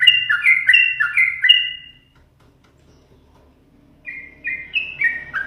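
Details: Owner-teased pet yellow-vented bulbul pours out fast bubbly whistled phrases, each note slurring downward, falls silent for two seconds, then starts again with a rising, quickening run; soft low hum behind.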